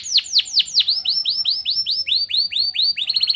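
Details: Canary singing pleci (white-eye) material meant to raise emotion: a series of loud swooping downward notes repeated several times a second, ending in a faster, tighter trill.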